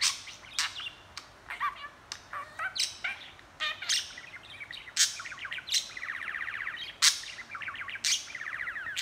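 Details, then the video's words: Budgerigar chattering nonstop: dense run of sharp clicks, chirps and squeaks interleaved with buzzy, rasping warbled phrases. "Budgie talking & chattering"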